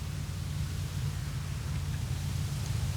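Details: Constant low wind roar and broad hiss fill the whole stretch, with no animal sound.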